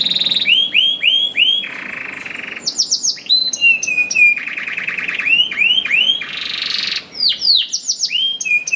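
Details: Singing canary meant to provoke other canaries into song: series of clear downslurred whistles repeated about every half second, interspersed with harsh buzzy bursts and rapid high trills.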